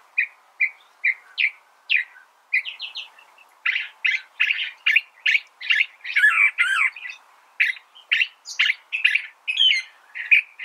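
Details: California thrasher singing a long, varied run of phrases: short chirpy notes repeated two or three times, then richer mixed phrases with harsher, scratchy elements and some clear whistles, continuous for about ten seconds against a quiet, clean background.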